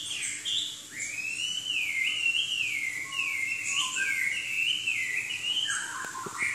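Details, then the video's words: Chinese hwamei in full song, delivering a continuous rolling whistle that rises and dips in smooth waves, with lower fluty notes in the middle and a few sharp clicks near the end. "Kicau Burung Hwamei Wambi Gacor"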